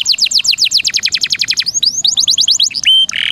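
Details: Canary song on a songbird training recording: a rapid roll of high down-slurred notes, a few rising slurs, another quick trill, a steady high whistle and a closing harsh buzz.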